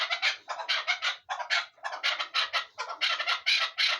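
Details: Hunting chukar partridge giving harsh, rapid chuk notes in quick bursts, several bursts each second, repeated in a steady rhythmic series across the whole stretch.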